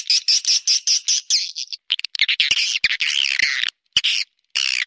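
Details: Swiftlet calling sound in the 'ratu berdaun' style: a regular series of short high chirps, then a harsher rolling twitter with brief pauses.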